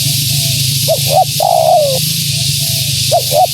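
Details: Female spotted dove cooing to lure wild doves: two quick clipped notes, then a long, slightly falling purred coo, with softer distant coos around it, steady hiss and a low hum beneath.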